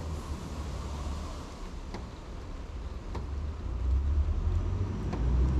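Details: Steady low road-traffic rumble that swells toward the end, with a few sharp broadband clicks and no animal voice.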